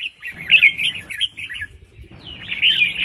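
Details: Female red-whiskered bulbul calling to stimulate males to sing: two bursts of bright, chattering, warbled notes, the second after a short pause.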